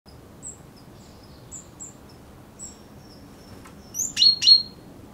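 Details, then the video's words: A common chaffinch (Fringilla coelebs) calling rather than singing gives two sharp, metallic 'pink' notes a third of a second apart, after a few faint, thin high notes. "Common chaffinch (Fringilla coelebs) - calls"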